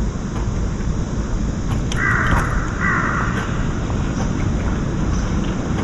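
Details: Young crow repeatedly begging its parent for food: two harsh, hoarse 'kkaa' calls in quick succession, each about half a second long, over a loud steady rushing background.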